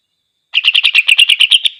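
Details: Greater green leafbird in full song, meant to make rival leafbirds angry: a rapid run of roughly eleven bright, clipped chirps at a steady pace, closing with a fading drawn-out whistle.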